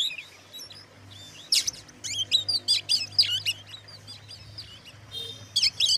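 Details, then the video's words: Oriental magpie-robin singing to provoke other magpie-robins: quiet start, then a burst of sharp whistled notes and twisting slurs, over a steady low hum. "suara kacer buat pancingan kacer lain emosi"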